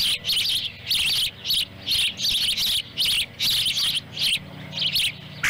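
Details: Osprey family at its nest in Lolo, Montana, July 18, 2017, while the mother brings a small fish and one chick swallows it whole as a sibling tries to join in. Loud, sharp whistled chirps are repeated in rapid, evenly spaced bursts.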